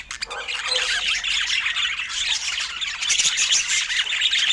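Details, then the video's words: Several budgerigars chatter at mealtime, rapid squawky chirps and trilled twitters tumbling over each other at a fast, uneven rhythm. "Budgie Nutrition Basics with Sweet Sounds and Feeding Joy"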